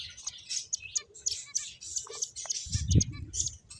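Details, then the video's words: Playing finches make rapid high chirps, short sharp notes repeated several times a second, with a low thud near the end. "Cute Birds Chirping Sounds | Beautiful Finches Playing"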